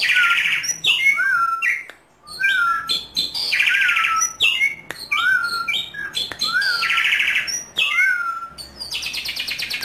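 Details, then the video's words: Energetic song of a captive Asian pied starling, played to stir other starlings into singing: repeated buzzy rasps, sweet falling whistles and quick chattering notes, ending in a fast grating rattle. "Jalak Suren Gacor Keras || PANCINGAN JALAK GACOR AMPUH"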